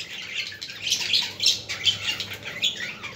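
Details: Budgie chatter meant to stimulate other budgies: a short burst of busy, high twittering and squeaky chirps that rise and fall quickly.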